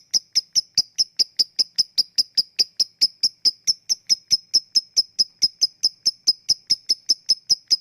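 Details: Lovebird used as a lure to make lazy lovebirds sing, in the 'ngetik' ticking style: sharp, high, clicking chirps repeated steadily, a little over two per second, throughout the recording, with no other sounds.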